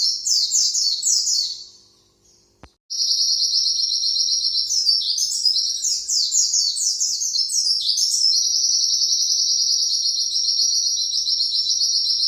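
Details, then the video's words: Pleci white-eye singing a long 'sejalur nembak' song meant for training other birds: quick descending chirps, a brief silence, then an extended high rapid trill with scattered slurred flourishes, sustained for about nine seconds. "Pleci nembak panjang"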